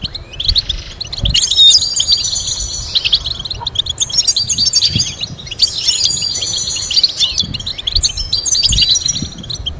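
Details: European goldfinch song meant to teach complex melodies: a rapid, liquid stream of high twitters and buzzy trills in phrases of a few seconds, with faint low background sounds.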